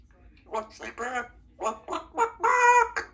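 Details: Female Congo African grey parrot at work, chatting with her owner: a run of voiced, speech-like syllables in short bursts, ending in one longer, drawn-out word over quiet low background noise.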